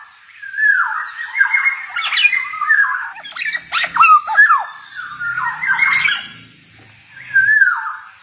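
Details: Energetic male black-naped oriole, 'ngalas' style, recorded for training songbirds: repeated harsh, nasal, sliding phrases, some broken by quick clicks, returning about every one to two seconds.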